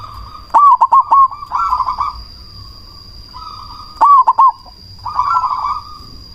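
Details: Black cemani zebra dove with a loud voice, singing to stir rival doves into answering and raise breeding drive. Rapid clusters of clipped, hiccuping coos alternate with softer rolling trills in two main bursts. A thin electronic whine hums throughout.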